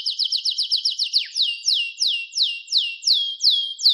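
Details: Captive-bred blorok white-rumped shama delivering clear masteran song: a fast run of about ten sharp chips, then slower loud downslurred whistles repeated at a steady, ringing pace.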